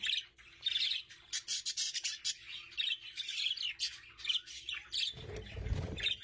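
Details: Budgerigars together with chicks give a rapid, scratchy run of high chirps and squawky notes, several per second, followed near the end by a low rustling thump.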